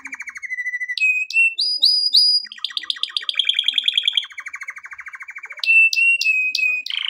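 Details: Male canary singing, used for training other birds. The song moves through rapid buzzy trills and rolls at different pitches, with sharp high chip notes between them. Bright, varied phrases fill the whole stretch.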